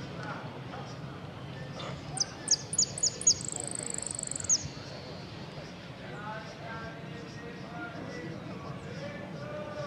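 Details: Saffron finch singing in the 'amarillo sin cierre' category of an interclub cup singing contest in Ciudadela, 08 03 2014: a few sharp high chips, then a thin, fast buzzy trill lasting about two seconds, over steady crowd murmur and voices.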